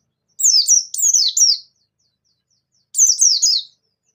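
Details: Bustomi white-eye sings gacor to coax lazy white-eyes into answering. Two tight volleys of high, rapid, downward-sweeping chirps are split by over a second of silence.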